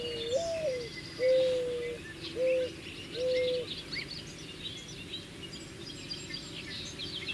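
Mourning Dove: a soft, low, hollow cooing, a rising slurred note then three steady coos, mournful and sobbing. Faint chirps of other birds behind.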